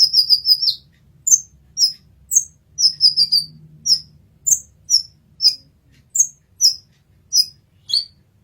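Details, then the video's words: Brown-throated sunbird song recorded as a masteran training recording: sharp, very high chirps, first a rapid run of notes, then single or paired notes repeated about every half second, with a faint low hum beneath. "Kolibri Ninja Masteran"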